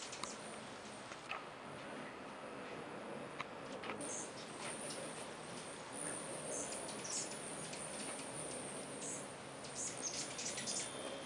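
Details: Many hummingbirds swarming at feeders in early spring while migrating through; thin, very high squeaks and chips scattered throughout, over a steady background hiss.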